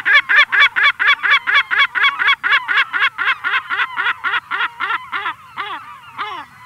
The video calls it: Lesser Black-Backed Gull. CU Adult Giving Long Calls